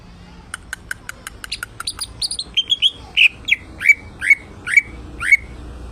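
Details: Cucak ijo, the greater green leafbird, in energetic song: fast ticking notes speed into high chirps, then settle into evenly spaced, loud whistles that swoop down, roughly two per second.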